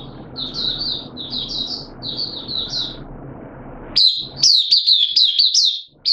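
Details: Hobby oriental white-eye in open song, 8 September 2022. Gentle high twitter groups sound first over steady hiss, then a loud, rapid burst of sharp chirping notes follows.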